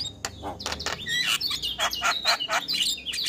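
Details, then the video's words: Male Javan myna in energetic morning song with fill-in phrases, a short dense stretch of scratchy, buzzy chirps and brief whistled notes packed close together. "Masteran Jalak Kebo Pagi Hari Jalak Kebo Jantan Gacor Full isian"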